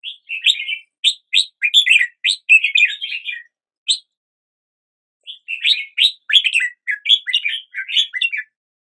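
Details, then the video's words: Red-whiskered bulbul singing in the morning: a quick series of sharp, bright upslurred whistles and chatter for about three seconds, a lone note, a two-second pause, then another lively warbling run. "Red whiskered Bulbul Song"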